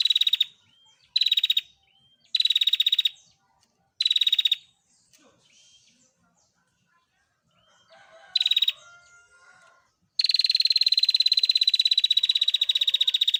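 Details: Bar-winged prinia female calling for cage-bird training: short bursts of fast, metallic ticking trill repeated with gaps, a few faint chirps and soft notes in the pauses, then an unbroken, sustained rapid trill running to the end.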